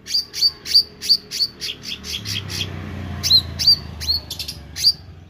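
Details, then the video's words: Meranti bird singing actively with quick runs of sharp high chirps, a short buzzy stretch, then more hooked notes over a low background rumble. "Burung Meranti Gacor"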